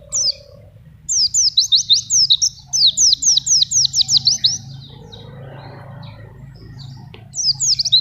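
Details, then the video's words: Oriental white-eye of wild stock singing steadily, kept on banana, used to tutor young birds and lure wild ones: bursts of quick, high, sharply slurred twittering notes, a long phrase then a short one, separated by pauses, with a low background hum. "Pleci Gacor"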